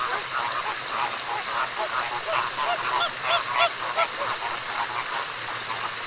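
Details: Flamingos calling loudly in the morning, a dense cackling chorus of many honking, goose-like notes overlapping rapidly, several calls per second, with broad background noise.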